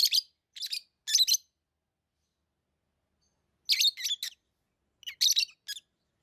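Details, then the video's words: Chirping lovebirds give three quick groups of scratchy, high chirps, then a long silent pause, then two more rapid clusters of sharp, buzzy notes. "Love birds Sounds | lovebirds chirping sounds"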